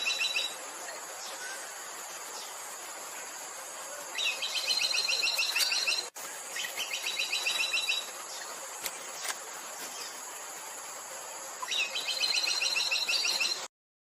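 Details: Buff-rumped woodpecker (Meiglyptes tristis): two bursts of rapid, high, dry trilled notes, each lasting about two seconds and roughly seven seconds apart, over a steady high insect drone.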